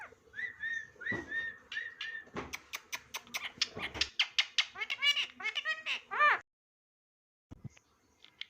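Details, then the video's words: Indian ringneck parakeet kept as a pet, talking and saying "Mitho Bete". Rapid run of bright, harmonic, speech-like syllables for about six seconds, then a silent gap and a few faint sounds near the end. "Funny Talking Ring Neck Parrot"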